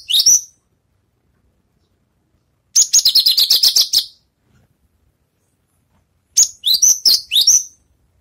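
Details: Javan bush lark just finished moulting, practising its songs: three high bursts of rapid buzzy trilled notes mixed with quick falling sweeps, separated by pauses of a few seconds, on an otherwise quiet background.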